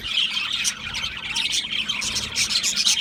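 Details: Australian parrots chirping in a brief, loud burst of overlapping squeaky tweets and harsh chatter.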